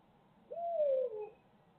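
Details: Barred owl in Midtown Tulsa, recorded on a live feed camera: a single smooth hoot that slides gently downward, drawn out for under a second, over a quiet low hum.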